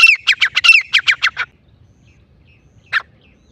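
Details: Grey francolin, the Sindhi bagra teetar, calling: a quick burst of about eight harsh, squawky notes in under two seconds, then silence and one more single rasping note.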